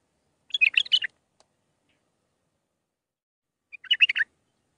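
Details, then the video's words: Mandalawi bulbul song, six phrases, used for training young birds: two separate bursts of quick, chattering warbled notes with a long silent gap between them. "للتخريج االمخاليف. مندلاوي ب6 لسانات"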